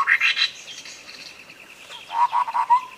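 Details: Tutor song of a sooty-headed bulbul with a clear voice, used to get a non-singing bird going: a high bubbly flourish, a pause, then a run of gurgling notes closing on a slurred whistle, over a throbbing buzz.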